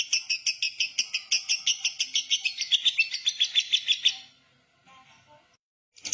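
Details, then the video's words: Lovebird giving a long ngekek konslet chatter: about twenty high, rapid, evenly pulsed notes, roughly five per second, running for four seconds without a break before stopping, followed by faint soft notes and near silence. "love bird konslet ngekek panjang!!!!!"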